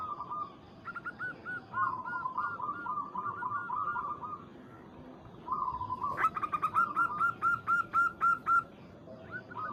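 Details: Local zebra dove calling a rival, recorded as a lure. Quiet rippling strings of coos fill the first half, then a sharp onset brings a loud, regular series of clear staccato notes, roughly four per second.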